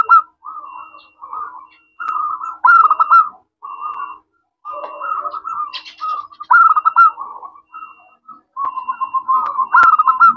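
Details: Crystal-voiced local zebra dove in active song, used to lure other doves to reply: a series of short rolling coo phrases, some louder with quick beaded notes, spaced by brief gaps.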